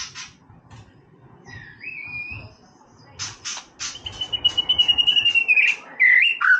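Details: White-rumped shama singing casually: after a quiet, noisy start, a soft wavering whistle, then a long level whistle laced with rapid clicking notes, ending in falling slurs.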